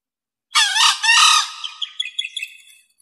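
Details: One loud, harsh crow from a male green junglefowl, as used to lure wild birds: choppy hoarse opening notes swell into a rough drawn phrase, then scatter into quick fading crackles.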